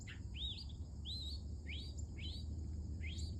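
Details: Early in the morning a female mockingbird sings clear rising whistled notes, each arching upward, repeated five times about every 0.6 seconds, against a low constant hum.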